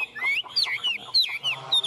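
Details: Tame Chinese hwamei singing on a hand, 'ôm cống' style: a short burst of swooping whistles, rising then dipping, repeated about four times.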